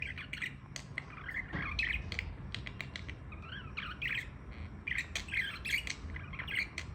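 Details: Budgerigars chatter with quick, scratchy chirps and warbling squawks over a low background hum.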